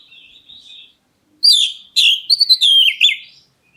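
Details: Black-breasted Oriental magpie-robin calling to provoke an answer from other birds: soft quavering whistles, then loud, strongly slurred whistles mixed with buzzy, chattering notes.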